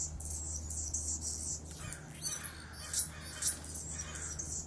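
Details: Anna's hummingbird calling to an Allen's hummingbird across a garden, probably contesting feeders, giving thin, high, scratchy chips in short bursts with a steady low hum underneath.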